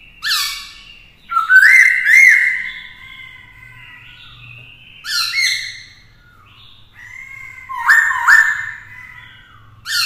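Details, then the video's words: Black-throated laughingthrush song aimed at stirring rivals, a female alongside rousing the male; rich rising whistles and slurred notes in separate bursts, a faint low hum underneath. "Khướu mộc hót kích đấu - Khướu bạc má hót nhiều giọng hay - kèm khướu mái kích trống căng lửa"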